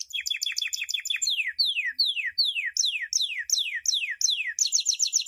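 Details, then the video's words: Canary training song for young birds, champion style: quick doubled notes then a run of loud downward-sweeping whistles repeated roughly every half second, closing on a high rolling trill. "Entrenando pollitos canarios"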